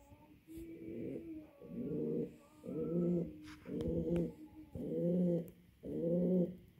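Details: Male pouter pigeon cooing to attract a female for mating, six low, throaty coos repeated roughly once a second, growing louder, with faint clicks in the background.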